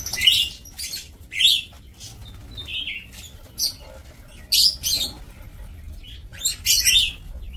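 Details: Lovebirds kept in an aviary for breeding give a string of sharp, squeaky chirps and short shrill bursts at irregular intervals, some notes sliding downward in pitch.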